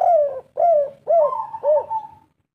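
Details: Spotted dove of local stock giving its three-part 'kuk 3' song energetically: a falling coo, a rounded second coo, then a warbled coo running into a sustained steady tone that fades out.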